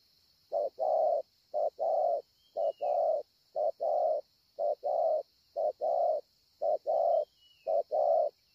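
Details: At Ngọc Hồi, 25 March 2020, a spotted dove gives regular paired coos, a brief low note followed by a fuller drawn-out one, about once a second, over a continuous faint high hiss and a soft distant whistle.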